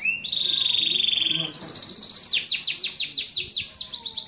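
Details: Canary song opening with a long, steady, whistled tone that rises to a higher buzzy note, then breaks into quick, repeated, downward-slurred notes.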